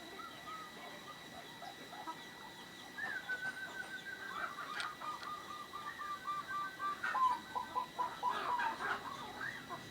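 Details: Local zebra dove singing actively with a rare, unusual voice: a long run of low, quavering coo notes that rises at the end, over a faint steady hum and scattered high bird chirps.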